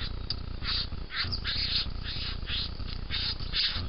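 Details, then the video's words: Grating, scratchy calls from a young bowerbird repeat steadily throughout, each rasp about a quarter second long with short gaps between them, over a constant low droning hum. "The Young Bowerbird"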